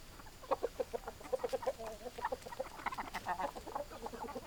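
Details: Several hens clucking with quick, irregular, clipped notes in uneven runs, over a constant noisy background.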